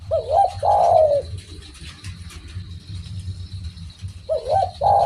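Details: Spotted dove calling vigorously: a mellow, hoarse multi-note cooing phrase with a rising then falling contour lasts about a second, then a pause, and a second phrase begins near the end. Steady low rumbling hum underneath.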